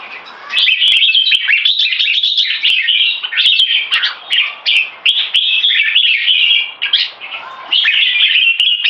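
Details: Red-whiskered bulbuls bred for singing contests, one moulting, in a head-to-head bout: dense, rapid, liquid warbling with slurred whistles and chattering notes pouring out almost without pause, punctuated by a few sharp clicks.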